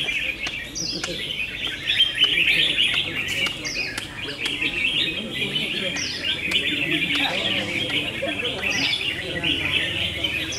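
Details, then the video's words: Red-whiskered bulbuls competing in a song battle: a busy stream of twittering warbles with sharp rising whistle flicks every second or so, many phrases overlapping. "Best Red Whiskered Bulbul Singing Battle"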